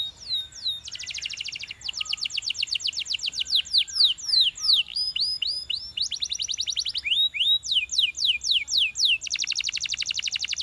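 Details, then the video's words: Belgian canary song meant to coax companion canaries into singing, a continuous run of rapid trills and downward-sweeping whistled notes changing pattern every second or two, ending in a fast buzzing roll. "Belgian Canary Seducing Friends to Sing!"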